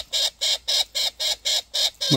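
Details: A young wild Australian king parrot, visiting with its family to be fed each morning, begs loudly for a parent to feed it: eight harsh, grating squawks in steady rhythm, about four per second.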